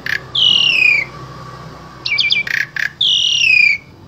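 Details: Asian pied starling from Central Java used to teach spotted starlings. Two loud, strident, down-slurred whistles frame a stutter of quick squeaky notes and harsh clicks in this short burst of song.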